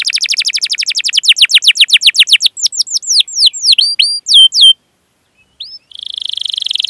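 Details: Long rolling canary song meant to lure and train young birds: a fast series of downslurred notes that slows into looping whistles, a pause, then a brief buzzy roll.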